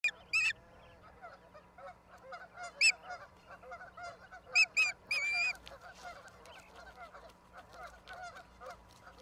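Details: Osprey at its nest in Charlo, Montana, USA, on April 26, 2022, filmed by a live nest camera: a few sharp, high whistled chirps scattered through a steady background hiss.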